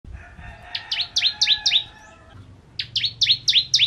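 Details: Bar-winged prinia of the Kristal ciblek type singing in full ngentrok style: high, sharply down-slurred notes in a quick series of about seven, a brief pause, then six more, with a faint steady tone underneath.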